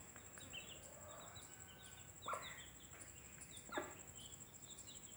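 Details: Broody mother hen calling her chicks to come and eat; two short clucks stand out against a faint background of high chick peeps and a steady high electronic whine.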